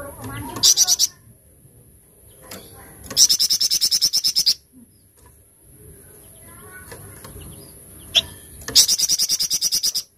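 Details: Tembakan cadas song of a golden-bellied gerygone (flamboyan): three separate bursts of rapid, high-pitched, stabbing notes repeated several per second, separated by quiet stretches with faint background sounds.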